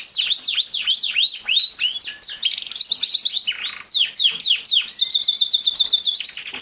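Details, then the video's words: Canary singing a loud, rapid song: series of swooping downward whistles, then buzzy trills and repeated sharp rising notes, all high-pitched and continuous. "Canary Singing | The Best singing Canary ever"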